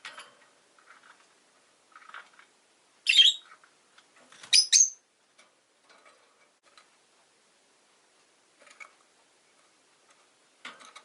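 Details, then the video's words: Caged rosy-faced lovebirds, five birds in a cage beside a window, chirping in winter: scattered faint chirps with three loud, sharp, high squawking notes clustered in the middle, over a quiet background. "冬とか関係なく良く鳴く子【Lovebird Chirping Sounds"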